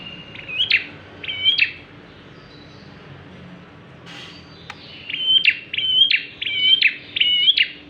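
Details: Lively bar-winged prinia song for luring other birds: two whistled chip phrases, a pause with a brief click, then a fast series of about five high, ringing whistle-and-chip notes.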